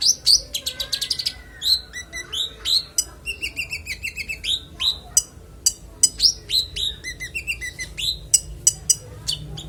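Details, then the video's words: Konin in clear full song, kept as training audio for other songbirds: a dense, varied medley of rapid high chips, slurred whistles and short trills, with some lower two-note phrases mixed in, nearly without pause. "Konin bongkar isian suara jernih"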